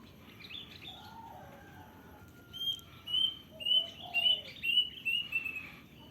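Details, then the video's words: Wild plaintive cuckoo calling: after a quiet start with faint lower warbling from another bird, a run of about six clear, high, thin whistled notes follows, spaced roughly two per second over steady background hiss. "suara burung kedasih liar"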